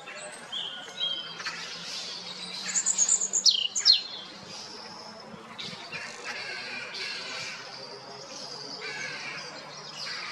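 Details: A European robin (Erithacus rubecula) sings high, thin, warbling phrases with brief pauses between them, some sweet and liquid, others scratchy, over a faint low hum.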